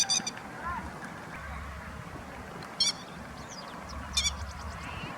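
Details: Adult grey-headed lapwing keeping watch around chicks in Kyoto, Japan, late April; three abrupt, scratchy calls spaced a couple of seconds apart over a low droning rumble.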